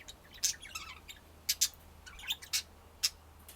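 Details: Budgerigars give bright, clipped chirps and clicks in irregular bursts, with a few louder sharp ticks standing out above a quiet background hum.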